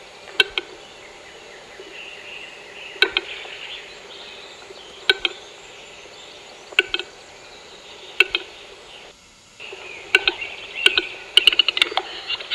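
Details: Western capercaillie at a lek in Großarltal, Austria: sharp, dry clicks, some doubled, spaced a few seconds apart, then quickening into a denser run near the end, over a steady high insect-like hiss.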